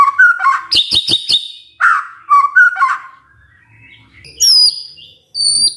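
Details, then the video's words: Magpie-robin singing in the morning to stir other magpie-robins into song: mellow low whistles mixed with a burst of sharp clicking notes, then fading high, thin, rising and falling whistles. "Pancingan PAGI PAGI AGAR MURAI GACOR❗ murai diam pasti ikut NYAUT❗❗"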